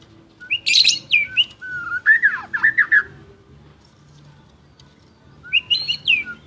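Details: White-rumped shama of champion standard, with a high buzzy burst, then a string of low, fluty, looping whistles, silence, and a closing high rising phrase.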